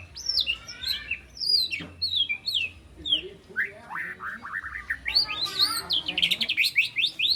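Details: Juvenile white-rumped shama, aged three months, learning mimicked fill-in phrases and sharp bursts: a rich, varied outpouring of high swept whistles, rapid chattering trills and down-slurred notes, growing denser and faster toward the end.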